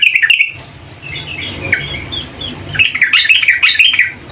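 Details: Calling female yellow-vented bulbul, summoning the male: brief chattering notes, a quiet run of scattered chirps, then an energetic tumble of warbled, bouncing notes.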